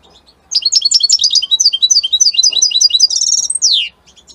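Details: Caged European goldfinch of Italian type pouring out a fast, tinkling twittering phrase with trills, closing on a sliding descending buzz and a few soft notes.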